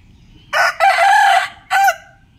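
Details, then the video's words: Rooster crowing in the morning: a loud, harsh cock-a-doodle-doo with a short opening note, a long sustained strained middle note, and a brief clipped final syllable, over a quiet background. "Rooster crowing sound effect - sound of rooster crowing"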